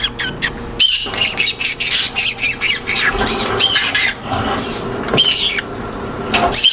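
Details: Aviary colony of Monk parakeets calling nonstop, a rapid string of loud, grating squawks about twice a second, overlapping from several birds, with a low background hum.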